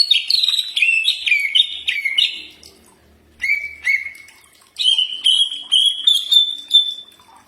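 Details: Common iora song, used as a training recording for birds to answer: loud whistled phrases sliding down in steps with short trills, a pause near three seconds, then long steady whistles with slight wavering.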